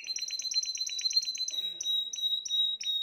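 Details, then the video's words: Rapid pulsed trill from a Spanish Timbrado canary, third bird of 2020, shifting into a held high tone broken by slower repeated chips. "تغريد طائر تيمبرادو"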